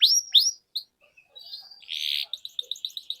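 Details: Canary song used as a training lure for young canaries: two sweeping high notes, scattered chips, a dense buzzy burst, then a quick run of short high pips.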